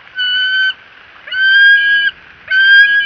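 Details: A bald eagle at the Fort St. Vrain nest gives three drawn-out, thin, steady whistled notes about a second apart, each slightly rising at the start, over faint background hiss.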